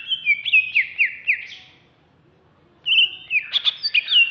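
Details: Greater green leafbird, Alas Purwo type, caged and ready for contests in Jatiasih, Bekasi, singing ngamuk: a rapid chain of loud descending whistled notes, a two-second pause, then a dense burst of mixed chirps and trills.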